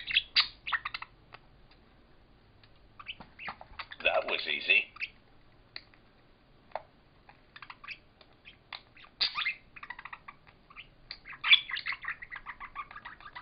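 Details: Two budgerigars fighting over a toy button trade rapid, scratchy chirps and squawks in bursts, their chatter bright and busy throughout.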